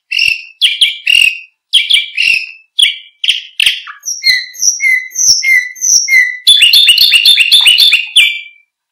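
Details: Canary song used to train other birds: varied phrases of buzzy notes, then clear whistled notes spaced about half a second apart, ending in a fast rattling high trill.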